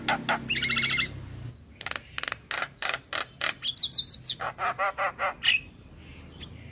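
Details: Javan myna, lively full song used as a master for training other birds: a buzzy trilled opening, a rhythmic series of loud clicks and a high fluttering whistled trill.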